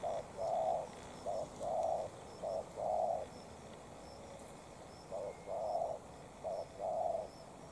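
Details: Spotted dove decoy confronting a fine wild dove, calling in deep mellow coo phrases, short note followed by a longer drawn one, with a pause partway before cooing resumes.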